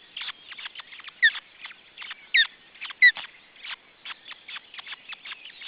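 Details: Osprey at a nest with its second chick, Estonia, June 2012. A quick train of short, scratchy chipping notes is punctuated by three louder downslurred whistles, with faint background twittering.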